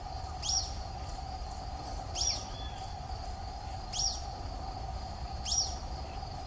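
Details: A Social flycatcher in the Atlantic Forest gives its call, four sharp, high, slurred notes about every one and a half seconds, over a steady low hum and insect drone.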